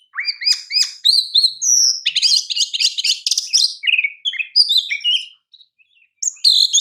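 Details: Oriental magpie-robin singing, prized champion-style song used as a master recording for training other birds: rapid varied phrases of clear rising whistles, buzzy chatter and sharp high notes, pausing briefly near the end before resuming.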